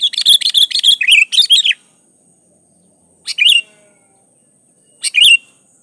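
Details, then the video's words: Sooty-headed bulbul (kutilang) singing in the vigorous gacor style: a rapid run of bright chirped notes lasting under two seconds, then two short chirpy bursts after pauses, over a faint steady high tone. "Suara Burung Kutilang gacor"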